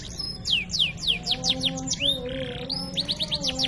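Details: Canary singing an ornate tutor phrase: loud downward-swooping whistles in a quick series, a rising slur, a brief buzzy rasp, then rapid chirps resuming.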